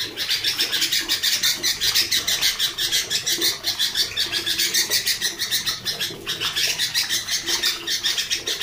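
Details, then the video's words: A sooty-headed bulbul with a noisy, harsh, dense voice sings a busy, continuous run of bright chirps and short whistled phrases, about two notes a second, over a dense chattering backdrop. "Super Berisik. Kutilang"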